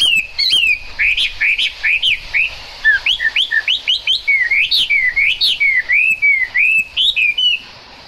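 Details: Chinese hwamei singing as rain falls, a long energetic stream of looping whistled notes, many rising then dropping, repeated in rapid sequences over a faint hiss.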